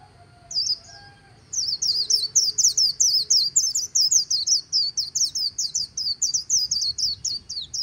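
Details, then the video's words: Líu-style song of a white-eye on the bank of the Kỳ Cùng river, a long run of quick, high-pitched warbled notes in steady bursts, each bright squeaky phrase following closely on the last over soft low rumble. "VÀNH KHUYÊN HÓT LÍU/ 10 PHÚT CHIM VÀNH KHUYÊN LÍU BÊN BỜ SÔNG KỲ CÙNG RẤT HAY"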